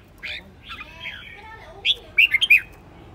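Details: Aggressive caged Red-whiskered bulbul decoy bird singing: soft chattering notes, then a quick run of four loud, sharp whistled notes near the end.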